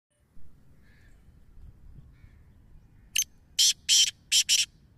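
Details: Black francolin in Punjab: a loud harsh call of five short broadband grating bursts in quick succession, preceded by faint distant chirps over low background rumble.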